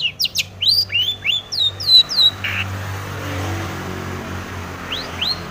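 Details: Long-tailed shrike giving a provoking lure song for other shrikes: rapid series of sharp, downward-sweeping whistles and chips, a pause with faint background noise, then a few more rising whistles.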